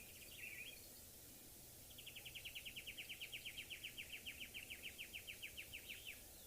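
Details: Southern tchagra calling at sunrise on 3 August 2023, a cool morning after a cold front, near thickets: a brief whistle, then a long, fast run of clear, down-slurred notes.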